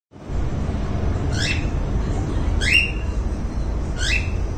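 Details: A cockatiel in the morning gives three sharp, upward-sweeping whistled calls, spaced about a second and a half apart.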